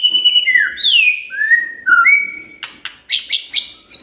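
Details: Lure song of a magpie-robin for stirring a quiet bird to sing: long, clear, sliding whistles stepping up and down, then a quick series of sharp, high chipping notes.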